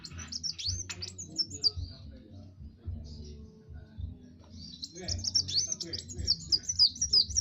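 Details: Kowul singing as a training master song: bursts of high, fast chirps and twittering trills, a quieter gap, then a dense chattering phrase, over a low humming background.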